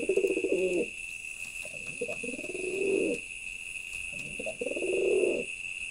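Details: Male pigeon giving throaty, vibrating coos, one short then two longer swelling phrases with brief clicks between them, backed by a continuous high tonal hum.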